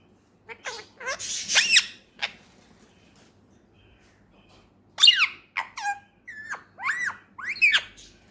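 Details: Male Indian ringneck parakeet, a talking pet bird, giving squeaky, speech-like bursts: a rapid cluster of high, wavering syllables, a pause, then several short inflected rising and falling phrases. The room is otherwise quiet.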